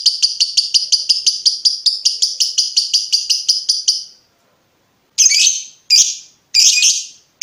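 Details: Lovebird ngekek trill, used to train other lovebirds: a quick run of high, buzzy pulses for about four seconds that fades out, then after a pause a few separate harsh, squawky chirps.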